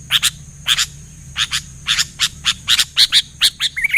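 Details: Sooty-headed bulbul (kutilang) singing actively, answered by other bulbuls: short, bright notes, mostly in pairs, repeated every half second or so, with a steady high whine behind.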